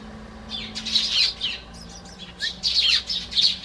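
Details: Tree sparrows hop onto a garden bench as their human friend steps out of the house, calling to him; bright, high chirps come in quick clustered bursts, pausing briefly midway, over a faint low hum.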